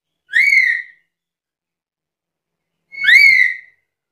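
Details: Chatty black-capped lory, presented as a lure and tutor recording for other birds: a pair of strident, ringing calls with a quick upward sweep, the second slightly longer, separated by a quiet gap.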